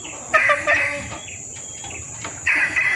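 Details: Female red junglefowl in breeding condition calling males, a lure recording: two clucking bursts of harsh, throaty notes separated by a quieter gap, with a steady high hiss throughout.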